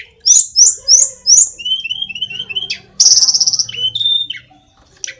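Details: Song of the sulingan gunung (tledekan), the hill blue flycatcher of Indonesia, sung with gusto. Four sharp descending high notes lead into a string of short mid-pitched whistles. A fast buzzy rattle and a clear whistle follow.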